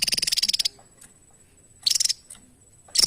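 A Javan tesia gives very high, rapid rattling bursts of thin notes: one long burst, then two short ones about a second apart, with quiet between.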